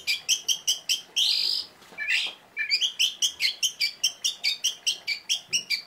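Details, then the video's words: Oriental magpie-robin delivering sharp notes: evenly spaced high chirps, a harsh rasping note, then a long fast string of crisp chirps at roughly one every third of a second. "kacer gacor tembakannya pedas"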